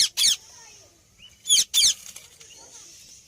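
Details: Indian ringneck parakeet calling in two pairs of short, grating squawks, a pair at the start and another after about a second's quiet, with faint softer chirps and a light background hiss between them.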